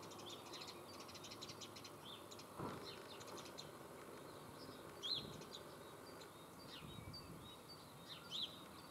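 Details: House sparrow calling in the Eifel region of Germany: many short chirps in dense bursts, with a few brighter chirps standing out near five and eight seconds over a steady outdoor background hiss.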